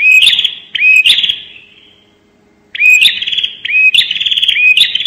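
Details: Bar-winged prinia's 'nembak' lure call: two harsh trilled phrases with a fading tail, silence, then three rapid phrases in a row. Each opens with a curled whistle and sharp clicks before a high, rattling buzz.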